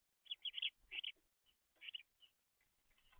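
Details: Fledgling house sparrows chirp rapidly in quick bursts of two or three notes, bright and slightly rasping, ending with rising rustle and scraping noise as the messy eaters feed.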